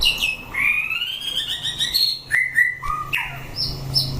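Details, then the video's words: White-rumped shama singing during a 'chảo lửa' fighting test of competition birds: a rich run of rising, sliding whistled notes, rapid chirped trills, and a final pair of high clear whistles. "Chảo lửa test chim đấu (shama bird singing)"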